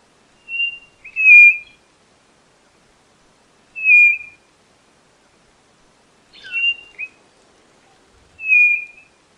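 White-bellied nothura giving clear, high whistled notes, some doubled or slurred, repeated about every two and a half seconds over a quiet background.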